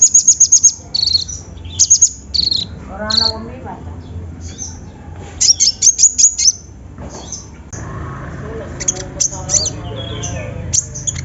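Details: Singing olive-backed sunbird, used as a lure to start a hard-to-sing bird. Short bursts of very high chips mix with lower buzzy notes and descending warbles, and there is a quieter, steady background hum later.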